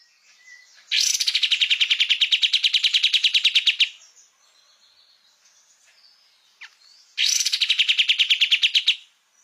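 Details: Master recording of a kapas tembak for teaching cage songbirds: a three-second burst of fast, buzzy pulsed notes, a pause with soft faint sounds and a click, then another rapid chattering burst.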